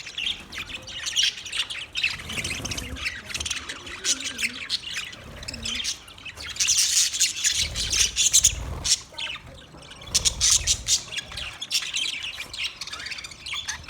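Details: Budgies chattering and squawking, a steady stream of rasping, buzzy high notes and chirps, louder in the middle, with soft lower murmurs underneath.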